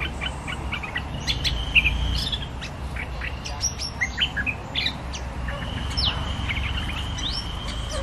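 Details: Streak-eared bulbul lure song, used to draw in a territory-holding bird. Short chirps and rising notes come in scattered bursts, with one long steady whistle, over a constant low rumble of background noise.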